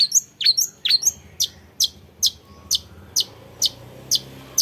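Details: Young long-tailed shrike: a few rough, squeaky notes, then regularly spaced sharp, descending high chips, about two per second.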